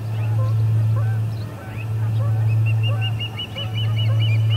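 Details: Ospreys at the Charlo P2 nest, midday on August 20, 2020, ejecting returning visitor ospreys: after a quiet start, a run of sharp, high whistled chirps repeats quickly over a constant low electrical hum.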